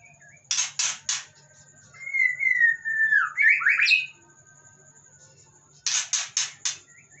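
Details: White-rumped shama in a covered cage, answering other birds' sounds. Bursts of harsh buzzy notes come before and after a long, sliding, wavering whistle over a steady high background tone.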